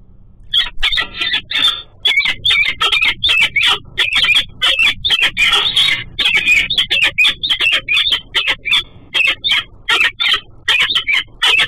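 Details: A female peregrine falcon at her nest in the morning gives a long, steady run of harsh, scratchy high notes, repeated rapidly for over ten seconds, chatting with her mate as he flies by.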